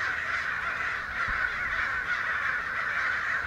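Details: Large flock of American crows, perhaps a hundred, mobbing excitedly down a street in Santa Rosa on May 29; dense overlapping harsh caws merge into a continuous raucous chorus with no single bird standing out.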